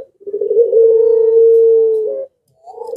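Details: Barbary dove in breeding heat giving its long pelung coo: one deep, very sustained steady note lasting nearly two seconds, ending in a short lift, then a brief rising coo.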